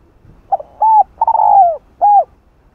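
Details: Spotted dove cooing to call a female, used as a lure call for wild doves; a short soft note, then three low hooting coos, the middle one longest and falling, within about two seconds, quiet background.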